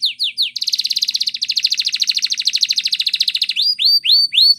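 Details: Belgian canary training song opening with a few falling whistled notes, then a long rapid rolling trill, and closing with rising, upswept whistles, all clean and bright in a quiet room.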